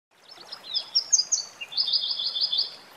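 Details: Red warbler song beside a waterfall: a quick run of thin, high twittering notes settling into a fast, even, high trill, over outdoor background noise.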